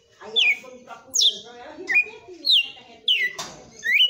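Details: Kept red-cowled cardinal pouring out the 'açoite' song with force, a run of six clear descending whistles, a few rising at the end, against low indoor voices.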